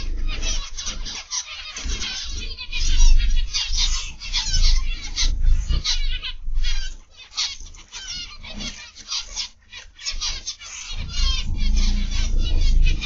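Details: Zebra finches in an aviary, many birds calling at once: a dense, continuous chatter of short nasal, honking notes in rapid overlapping bursts, over a steady low hum.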